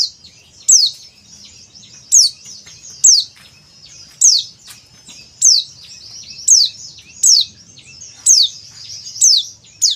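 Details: Male oriental white-eye call, Bali, used as training audio: thin, very high notes sliding sharply downward, about once a second, over faint steady high-pitched twittering.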